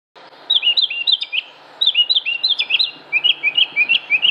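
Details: Northern Mockingbird singing in Concord, North Carolina, United States, on 7 June 2016: bright, high chirped phrases, each note type repeated several times in quick runs before switching to a new pattern.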